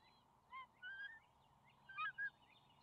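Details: Young bald eagles near their nest on May 28 as the father delivers a fish: scattered squealing, slurred calls, two quick loud ones close together near the end, over a steady background hum.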